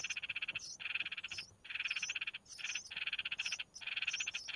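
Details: Red-whiskered bulbul chicks calling for food from their mother: buzzy, grating begging phrases about a second long, each ending in high thin squeaks, separated by brief pauses.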